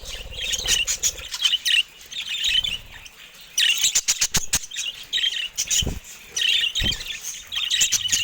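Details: Several budgerigars kept in a cage, said to be attacking a camera, produce continuous buzzy, squeaky warbling with sharp clicking taps and brief low thumps between bursts.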